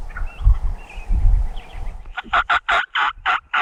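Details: Wild turkey tom gobbling among hens on Montana public land, a jake nearby; a fast rolling gobble of loud, evenly spaced pulses fills the second half, after faint whistled notes and low thumps.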